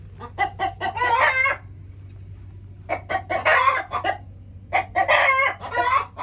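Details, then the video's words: Several chickens calling in three bursts separated by quiet gaps, each burst a quick string of sharp clucks rising into a drawn-out, harsh squawk, with a low background hum throughout. "Chickens making noises"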